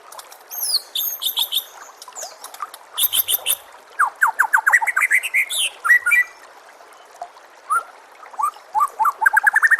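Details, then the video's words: Master song of a white-rumped shama: high metallic rattles and buzzy bursts, then a rising series of quick whistled notes climbing in pitch, followed by scattered slurred whistles and another ascending run. "KOMBINASI MASTERAN MURAI BATU PALING LENGKAP DAN PALING JERNIH AUDIONYA"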